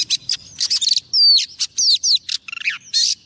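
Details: Oriental magpie-robin female used as a lure, singing to attract a male: a rapid, loud run of varied notes, rasping bursts, and clear downward-slurred whistles packed into about three seconds.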